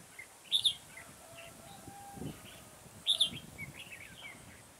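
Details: Red-whiskered bulbul decoy singing during bird trapping on 9 October 2017, billed as the toughest in the garden: two bright, warbled phrases about two and a half seconds apart over low rustling background noise.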